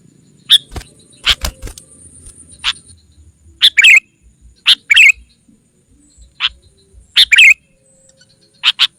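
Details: Sooty-headed bulbul lure call aimed at wild rivals: scattered sharp single chirps mixed with quick two- and three-note phrases, irregularly spaced, with a thin steady high whine early on.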